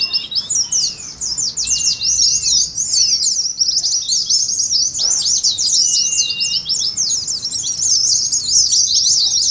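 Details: Oriental white-eyes in a 'ngeriwik' twittering song, used as a lure to make other white-eyes sing and to simulate a singing contest; a dense, unbroken stream of high, quick chirps and trills with brief lower whistles beneath.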